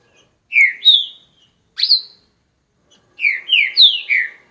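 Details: Owned green-winged saltator sings separate clear whistled notes, then a fast run of four descending slurred whistles near the end.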